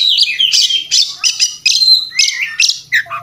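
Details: Fighting song of an Oriental magpie-robin, kept as a training master: bright whistled phrases and rasping bursts in quick succession, about six strong notes a second, ending on lower slurred whistles.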